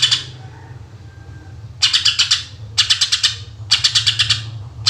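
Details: Greater green leafbird, 'gacor' song in the 'tembakan' (shooting) style, used as a lure for other birds: three loud bursts of rapid, harsh, pulsed notes after a faint opening, over a steady low hum.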